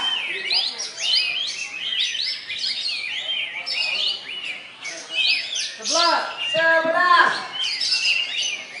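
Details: A champion competition olive-winged bulbul, perched with its tail spread, pours out quick, bright chirps and slurred "shooting" whistles amid many other singing birds. A lower nasal, harmonic chatter breaks in near the end.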